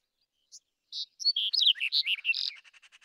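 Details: A Black-headed bunting (Emberiza melanocephala) sings a brief, quickening phrase of high chirps and warbled notes, ending in a rapid run of short repeated ticks.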